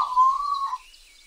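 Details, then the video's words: Single long, clear whistle from a wild African grey parrot, steady in pitch and lasting under a second, fading into faint background. "african grey parrot sounds in the wild"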